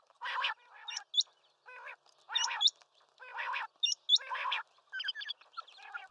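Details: Quail calling. Short hooked high notes come in pairs and triplets, mixed with rough, buzzy bursts lower down, at an uneven pace.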